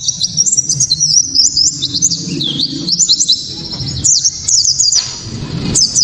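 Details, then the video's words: White-eye (pleci kacamata) singing its loud, sharp, clear 'tembakan' song, used to provoke other white-eyes into singing: very high, rapid chirping phrases with quick rising and falling notes, pausing briefly before each new burst, over low background hum. "Pleci kaca mata‼️tembakan‼️penuh sensasi‼️"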